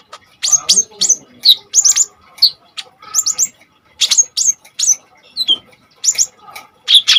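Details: Hard-singing Common iora used to stimulate and teach kolibri ninja birds: paired high piercing chips and short whistles in groups, separated by brief pauses, with a faint low hum underneath.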